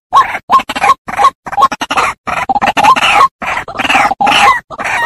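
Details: Lure recording of a white-breasted waterhen with choppy, rapid grunting notes and short squeaky upslurs. The calls come in clipped bursts broken by many brief silences.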